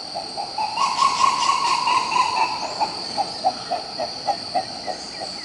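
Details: Green ibis recorded in Pirenópolis, Goiás, Brazil: a rolling run of hoarse, rapid notes that fades into evenly spaced single hoots about every half second, over a steady high insect drone.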